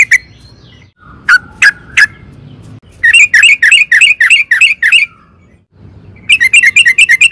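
A yellow-vented bulbul gives a few scattered chirps, then two quick runs of seven or eight bubbly, bouncing notes in a mid-high register.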